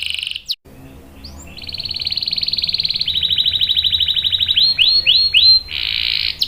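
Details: Canary with a long ngerol song for luring and tutoring young canaries: a brief opening note, a long accelerating rattle growing louder, then several repeated swooping notes and a dense trill.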